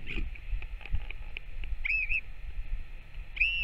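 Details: Northern royal albatross feeding its chick on 21 May 2024: soft clicking and tapping, then a wavering whistle and a final arched whistled note, over low background rumble.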